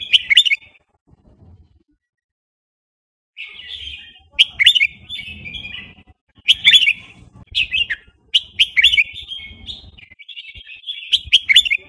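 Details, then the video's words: Burmese-type red-whiskered bulbul singing a fast wild-style song: bright, chattering whistled phrases in quick bursts, each phrase about a second long, after a silent gap, repeated several times in a quiet setting. "นกกรงหัวจุกพม่า เพลงป่า เพลงเร็ว"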